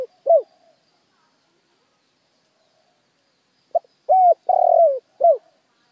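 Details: Spotted dove song used as a lure to excite wild doves. A faint falling note, a long pause, then one full phrase: a clipped note, a level coo, a long rolled descending coo and a short drooping last coo.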